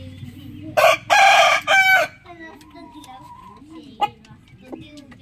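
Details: Rooster crowing in the morning in broken bursts: a short loud note, a longer harmonic section and a final clipped note, then quiet clucking, a thin steady tone and occasional clicks.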